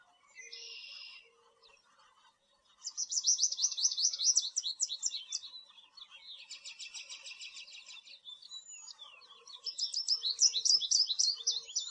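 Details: American goldfinch (Spinus tristis), song.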